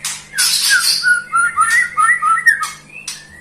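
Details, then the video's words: White-rumped shama song: a harsh scratchy burst followed by a string of clear, slurred whistled notes rising and falling in quick succession, ending with a thin higher whistle. "kicau burung murai batu merdu"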